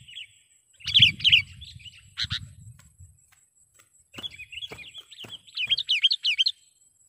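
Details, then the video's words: Sooty-headed bulbul call for luring wild birds to a trap: a few lively chirps over low rumbling handling thumps, then clicks, then a quick run of warbled, rising-and-falling chirps; a steady high hum runs behind. "suara BURUNG KUTILANG PIKAT gacor / pikat kutilang gacor dengan suara panggilan kutilang gacor"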